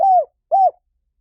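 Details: Spotted dove with two drawn-out, soft hollow coos, the first slightly falling, the second arched, separated by a brief gap.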